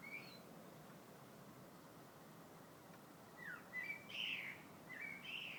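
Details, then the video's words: A bird sings in February; after a quiet stretch of background hiss, a burst of bright whistled and chirping notes arrives near the end, slurred downward then up. "Vogel singt."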